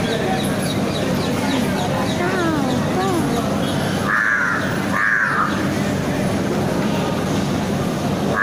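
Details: A wild crow in a city gives two harsh, hoarse caws about a second apart over steady traffic rumble, with faint voices and other calls early on.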